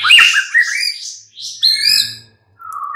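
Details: White-rumped shama mid-morning lure song meant to prompt other birds to answer and sing: loud, varied phrases of rich whistles and harsh, buzzy notes with downward slurs, a brief pause, then a steady level whistle.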